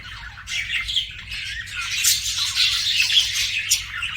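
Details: Pet budgies giving a continuous rolling warble, buzzy chirps blending into a dense chatter that grows louder midway, with a couple of sharp clicks and a soft hum beneath.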